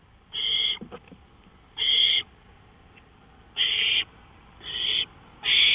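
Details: Owl heard from a porch at 1:53 AM, May 5, 2013, giving repeated rasping, hissy bursts of about half a second, five in under six seconds, with a few faint clicks between them.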